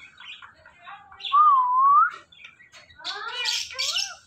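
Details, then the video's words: Ringneck parrot gives a smooth, loud whistle that wavers up and down for under a second, framed by chattering speech-like sounds and a burst of raspy, rising squawky syllables. "The Best Talking Compilation Of Ringneck Parrots"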